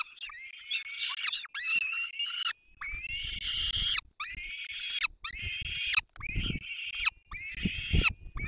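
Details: Nestling peregrine falcons beg while their parents feed them in the Barycz Valley on 3 May 2024: seven loud, harsh, drawn-out wails of about a second each, with low rustling and thumps between them.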